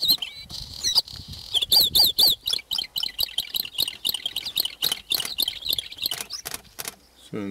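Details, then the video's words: A Bluethroat, described as very rare, sings in front of the recordist in the TRNC (Northern Cyprus): a fast, varied run of high clicks, ticks and looping whistled notes with quick repeated phrases, faint low voices behind. "Bluethroat - Mavigerdan"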